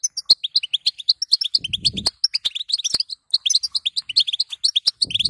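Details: Female goldfinch calling to get a male to sing: rapid, high, tinkling chirps in two runs split by a short pause, with a low rustling burst in the first run and at the very end.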